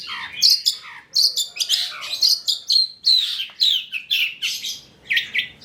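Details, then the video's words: Long-tailed shrike song for luring other shrikes to sing: quick scratchy phrases mixing sharp whistled downslurs and rasping notes, repeated at a steady pace. "PANCINGAN CENDET TROTOL AGAR BUNYI, MASTERAN CENDET GACOR FULL ISIAN"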